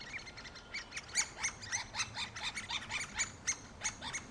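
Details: Young great spotted woodpeckers close to leaving the nest after three weeks of feeding by the adults: rapid, rhythmic, chattering calls, several each second, steady throughout against quiet background noise.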